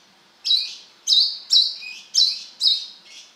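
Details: Brown-throated sunbird in full song: five bright, sharp high chirps about half a second apart, then a softer closing note. Quiet surroundings.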